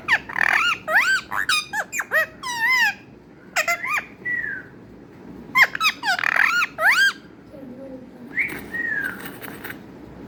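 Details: Talking parrot producing squeaky, harmonic chatter in several bursts, with curling rising-and-falling notes, brief pauses and a softer trailing whistle near the end.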